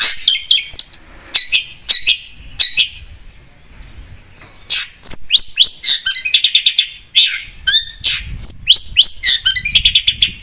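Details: Energetic singing from a long-tailed shrike (cendet): scattered sharp high notes, a short lull, then a dense varied stream of whistles, upslurred notes and fast chattering trills.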